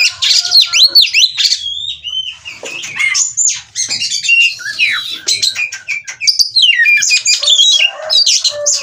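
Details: Oriental magpie-robin wanting to mate, showing ngobra display, kept by a Cirebon, Indonesia breeder. Swooping whistles and slurred notes mixed with quick ticks, varied phrase after phrase.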